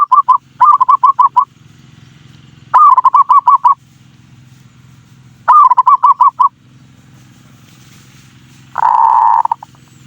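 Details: Zebra dove (perkutut) singing, used as a lure to stir emotion and breeding drive in other birds: three bursts of quick, clear, wavering notes, each about a second long, and then a single steady buzzy coo near the end, over a low background hum.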